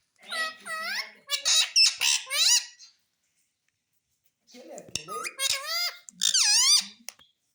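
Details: Talking parrot said to say mummy and papa, giving quick runs of squeaky, swooping, voice-like syllables in two bursts with a pause between them.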